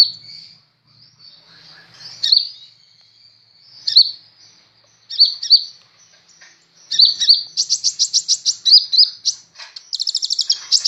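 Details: Kolibri ninja sunbird, kept and singing with vigour: sparse thin high notes that build into quick runs of sharp, evenly spaced chips and a closing rapid trill.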